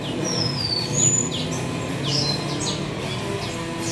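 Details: Grey singing finch (white-rumped seedeater, Crithagra leucopygius) chicks in a breeding bay beg with thin, high squeaky chirps and short sliding whistles, several each second, over a steady low background hum.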